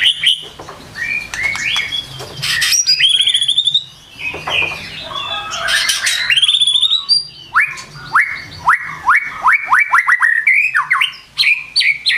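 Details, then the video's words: White-rumped shama, morning lure song for kept songbirds, with varied whistled phrases, then a long fast series of sharply rising upslurred notes repeated several times a second, loud and clear. "PANCINGAN PAGI HARI CEPAT NGEPLONG"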